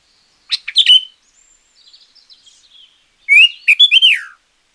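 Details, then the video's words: Sooty-headed bulbul song used to lure wild bulbuls or to train quiet caged ones: loud bright phrases of rising and falling whistled notes, a soft warbled passage between, then a second strong whistled phrase. "Suara Pancingan Burung Kutilang Gacor Juara"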